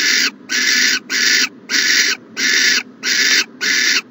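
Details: At an owl nest box in the morning, 14 January 2020, loud rough hissing bursts come in quick succession, seven within four seconds, evenly spaced and even in loudness.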